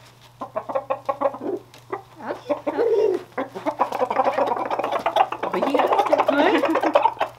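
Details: Contented rooster eating peanuts and corn treats, making a burst of fast clucks that builds into a longer, dense stretch of chattering, throaty notes, with a low steady hum in the background.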